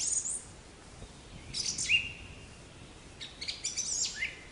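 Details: Black-capped chickadee, a North American songbird of deciduous and mixed forests: high thin notes, then a husky falling note, followed by a rapid scratchy series ending in a low buzz.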